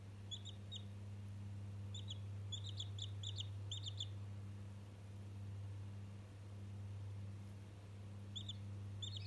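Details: A one-day-old chick, said to be chatting with a toy, gives short high peeps in quick clusters of two to five, separated by pauses, over a steady low electrical hum.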